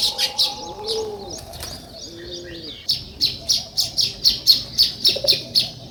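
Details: A sparrow gives sharp, high chirps. After a pause they become a regular run of about four notes a second. Two low, arched dove coos sound near the start.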